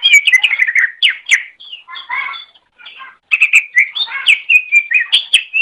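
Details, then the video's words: Greater green leafbird singing, recorded as a master to teach other songbirds: rapid, richly varied chirps and whistles with lower harsh chattering phrases in the middle and a brief silent gap. "Masteran Suara Cucak Ijo"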